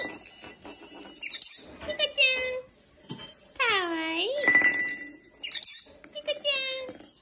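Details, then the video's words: Pet lovebird playing with a ball, chattering in a parrot voice: harmonic swooping whistles and rising-falling warbled phrases with speech-like bursts, broken by short pauses, and sharp high chirps at intervals. "Lovebird Parrot Talking"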